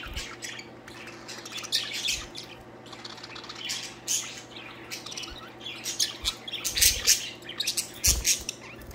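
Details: Several pet budgerigars playing and singing, one courting another while a jealous male flaps his wings; dense, buzzy chirping and chattering warble that grows louder and busier toward the end, with occasional thuds and a low hum.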